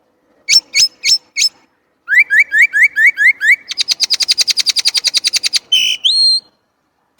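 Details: Chinese blackbird in varied song: four sharp chips, then a steady string of rising slurred notes, a fast even trill of about twenty notes, and a final sweeping whistle.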